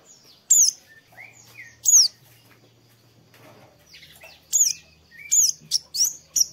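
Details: Oriental white-eye, a morning song played to make a bird sing: high, falling whistled notes with softer, lower chirps between them, quickening into a rapid series toward the end.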